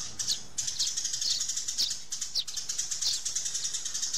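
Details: Sparrows calling and fighting, used as a sound for calling birds in. Rapid high chirps repeat two or three times a second, with faint fluttering between them.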